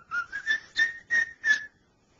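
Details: Male cockatiel kept as a pet practising "Dixie": six pure whistled notes in quick succession, slightly rising through the phrase, then silence.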